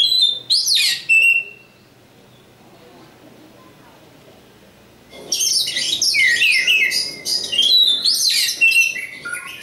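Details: Oriental magpie-robin (kacer), a local bird from East Java, singing: a burst of sharp, varied whistles and trills, then a silent gap of about four seconds, then a dense, rich run of rapidly changing warbled and whistled notes.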